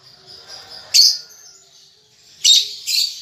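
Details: Baby lovebird learning to chatter: faint steady twittering, then a loud harsh chirp, a quieter stretch, and two more rasping high bursts near the end.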